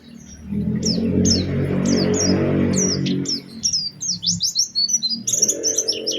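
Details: Oriental white-eye lure song meant to prompt other white-eyes to sing, in a special phrasing style: sharp, high descending whistled notes repeated about three per second, becoming a quick twittering run, with a loud low rumble in the first half.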